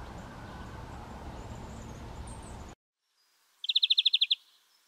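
Middle spotted woodpecker: a quick burst of about nine sharp, high chattering notes in under a second, after a stretch of loud rushing noise that cuts off.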